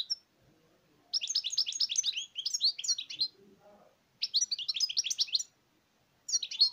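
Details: Goldfinch song in quick, jangling bursts of high twittering notes, each phrase about one to two seconds long, with faint low background noises during the gaps.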